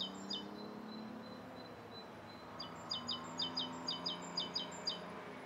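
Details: Morning recording of a Rose-coloured Starling at Bishopston, Bristol, 29 November 2014. A few scattered high chirps, then a run of bright doubled chirps repeated about twice a second, with low distant hum beneath.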